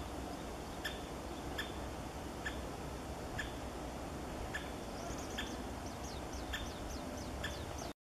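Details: Great spotted woodpecker, barely seen, giving sharp, short 'kik' notes about once a second, over a steady low rumble, with thin high chirps from another small bird near the end.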